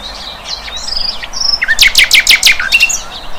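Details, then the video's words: Flycatcher called sikatan londo, wild, starting with thin high whistles and short sweeps, then a burst of loud, sharp downward-slurred notes repeated quickly, tailing off into softer chips. "Sikatan LONDO"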